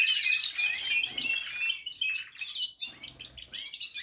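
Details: Group of canaries in a large aviary, singing after the moult ahead of the breeding season; loud overlapping trills and clear whistles for about two seconds, then sparser, quieter chirps and short warbled phrases.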